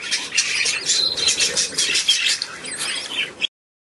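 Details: Fresh chick, number five of the hatch, 2 May 2015; rapid piercing peeps about three per second, fairly irregular, ending abruptly.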